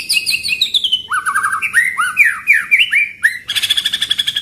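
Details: White-rumped shama singing a pastol-style training song with rolling 'shot' rhythm: descending whistles, a string of rising looped notes, then a fast buzzy rattle of repeated high notes.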